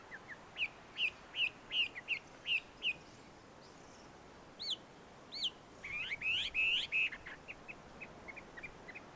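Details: A wild Chinese hwamei at a tree-shaded Tenmangu shrine in Joso, Ibaraki, Japan repeats a short clear whistle about twice a second, pauses, then gives a brief tumbling phrase and trailing soft notes, somewhat distant.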